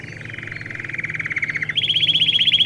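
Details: Song of a domestic canary meant for young birds in training: a low rolled trill swells gradually, then jumps abruptly to a higher, brighter trill.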